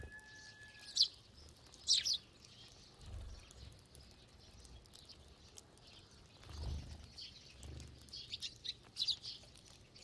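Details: Feeding together in a flock, sparrows give sporadic sharp chirps and clustered twitters over ten seconds, with a short whistle at the start and low thumps in between.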